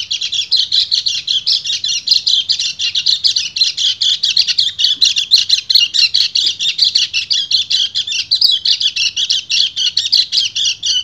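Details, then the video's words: Male white-eye in breeding condition calling to a female with an unbroken, rapid-fire song of high, scratchy chirps and twitters, running evenly throughout with no pauses. "PLECI GACOR NGEBREN - KECIAL KUNING BIRAHI MEMANGGIL BETINA"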